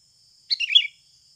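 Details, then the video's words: Sooty-headed bulbul in natural voice, used to prompt birds to sing: one compact burst of rapid, bubbly high notes lasting under half a second against a quiet background. "SUARA ASLI PIKAT BURUNG KUTILANG"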